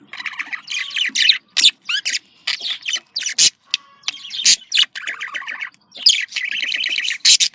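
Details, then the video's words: Caged budgerigars giving breeding-stimulation calls: mixed squawks, clicks and chirps in irregular bursts, some louder sharp notes, with a faint steady hum. "dişi muhabbet kuşu kızıştırma sesi erkek muhabbet kuşu kızıştırma sesi"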